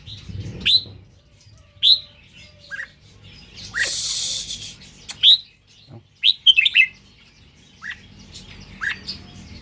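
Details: Red-whiskered bulbul of the Indonesian strain giving short, sharp whistled notes in scattered bursts, some quick doubled phrases, with one brief loud rushing noise midway and quiet pauses between.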